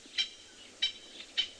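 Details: Francolins alarm-calling at something unseen, perhaps a leopard or owl, with magpie shrikes also alarming, on a chilly sunrise in a Greater Limpopo Transfrontier Park reserve, 25 June 2020: three short harsh, grating bursts about every half second, over a quiet background.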